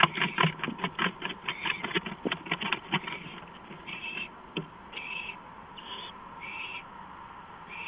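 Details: Owl on a porch in the early hours of 5 April 2015; rapid clattering taps fill the first seconds, then short, breathy, hissing bursts follow at uneven gaps.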